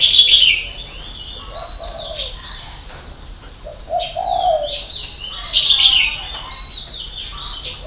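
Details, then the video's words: Spotted dove giving the six-note ('6 tiếng') cooing style prized in Vietnam, with a 'hậu 3' ending. Low, mellow coo phrases repeat three times, while sharp high chirps and twitters from other birds sound throughout. "chim cu gáy 6 tiếng ( hậu 3)"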